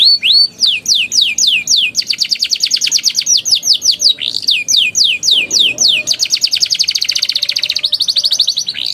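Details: Young canary in full ngeriwik and ngeroll song, meant as a lure to restart singing in juvenile birds: long runs of quick descending whistled notes alternating with dense, even rolling trills, almost without pause.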